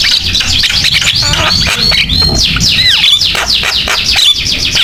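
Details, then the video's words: Javan myna singing loudly as a lure for other mynas, rapid downslurred whistles and scratchy squeaks tumbling one after another with sharp clicks and a faint low hum. "JALAK KEBO GACOR BUAT PANCINGAN DAN MASTERAN JALAK LAIN SUPAYA IKUT BUNYI"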